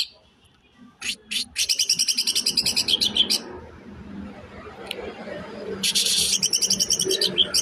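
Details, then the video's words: Greater green leafbird song in the tembakan besetan kasar style: dense, rapid, high trills of clipped repeated notes, with a brief pause, then a renewed rattling run over a soft background murmur. "CUCAK IJO TEMBAKAN BESETAN KASAR"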